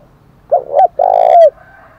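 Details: One 'thúc đấu' fighting-challenge phrase from a spotted dove, 'thổ đồng' style: two quick low hoots run straight into a long, steady, deep coo that ends with a slight downward slur. The background is quiet.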